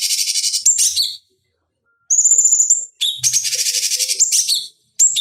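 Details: Fighting-bird training lure from a cucak cungkok bulbul: a buzzy trill ends in chatter, then after silence a long level whistle, and a further harsh pulsing trill with a brief closing note.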